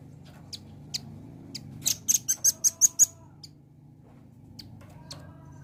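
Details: Velvet-fronted nuthatch lure sound for drawing a quick response: a rapid run of roughly seven thin, piercing chips in about a second, with isolated high chips before and after over a steady low hum.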